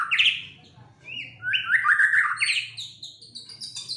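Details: Fighter-type white-rumped shama singing with agitation: a loud rising burst, a pause, then choppy warbled phrases climbing in pitch, with scattered high notes trailing off.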